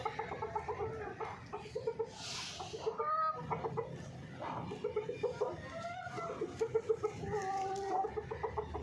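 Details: Hens from a Pakistani farm clucking in rapid, repeated nasal bursts, some drawn into longer squawks, with a brief hiss around the middle.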